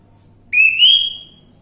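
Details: Orange-headed thrush lure recording used to prompt a silent bird to sing: one clear whistled note that rises and then holds a slightly higher level for about half a second, over a quiet background.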